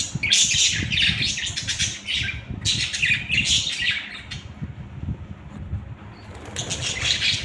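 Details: Budgerigars giving rapid harsh squawks and chattering warbles in several bursts, then a quieter gap before another burst, over low background rumble.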